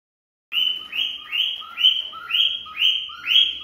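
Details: Female cockatiel singing to stimulate a male to mate: after a short silence, about seven bright whistled notes, each sliding upward then holding, repeated roughly twice per second in a steady rhythm.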